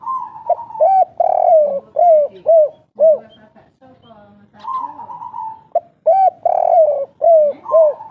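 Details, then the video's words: Spotted dove, local and wild, cooing in two phrases of soft rounded hoots, each opening with a longer blended note followed by evenly spaced coos, with a faint lower cooing and a brief pause between phrases. "Derkuku kuk3 lokal gacor ngamuk bikin emosi suara asli tua penunggu hutan"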